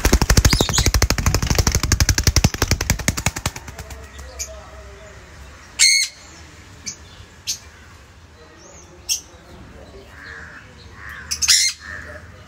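Sun conures give short, harsh, high-pitched screeches after a burst of loud mechanical rattling.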